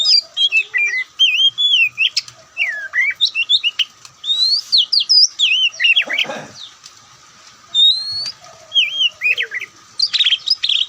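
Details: Oriental magpie-robin, the white-breasted kacer, pours out rapid runs of high swooping whistles and twisted notes, pausing briefly mid-song before resuming with buzzy chatter.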